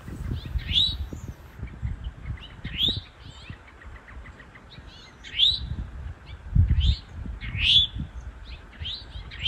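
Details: Male and female Eastern Towhees calling in woods, where the male defends a nesting territory; short, sharply upslurred notes repeat irregularly, about one a second, with a few softer chips between them over low background rumble.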